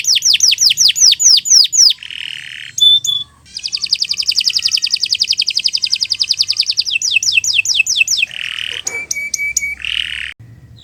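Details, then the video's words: Tutor song of a canary, long and continuous: falling whistled sweeps, harsh buzzy notes, a long rapid high trill, more descending sweeps, then short steady whistles broken by buzzes. "Kicau Burung Kenari 178 II LUAR BIASA GACOR PANJANG Cocok untuk Masteran"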